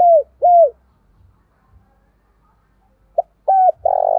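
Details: Decoy spotted dove calling to attract wild doves. Two falling coos end one phrase, then a pause, and a new phrase starts with a short note, a level coo and a rough rolling coo that is cut off.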